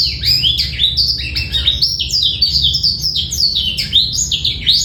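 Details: Clear, rattle-free black-throated canary song from a male, recorded as a tutor for young birds and to stimulate females; rapid tumbling sequence of bright, sliding high notes, unbroken for the whole stretch.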